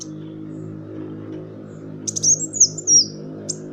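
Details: Kolibri Wulung sunbird lure song meant to stimulate other songbirds: one brief high-pitched twittering phrase of sliding, slurred notes over a constant low droning hum.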